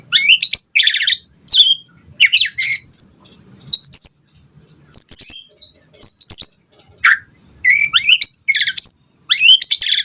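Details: White-rumped shama song used to provoke other birds: short bursts of high, harsh chattering and sharp whistled notes, repeated every second or so with brief gaps, faint low noise underneath.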